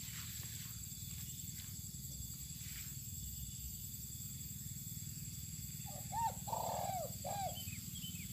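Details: Spotted dove being sunned outdoors in open land, giving one short phrase of soft, low, arched coos near the end, after a long stretch of steady low hum, with faint high chirps from other birds.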